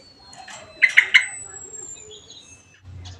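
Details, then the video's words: Bird at home in full continuous song as company for a Javan grey-throated white-eye: three sharp, bright chirps in quick succession, then faint thin whistles and a low murmur. "BURUNG SEJUTA UMAT NGOMBYOK"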